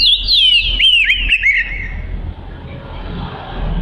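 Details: Oriental magpie-robin singing, a lively song meant for training other birds: a two-second run of quick descending whistled slurs and chirps, then only low background rumble.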